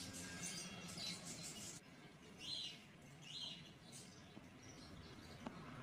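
Budgerigars give bursts of scratchy, chirping chatter in the upper range, with soft background hiss.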